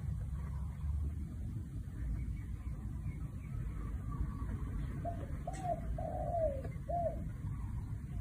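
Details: Spotted dove in one-kuk style: after several seconds of low rumbling noise, a phrase of four hollow coos arrives, the third long and falling.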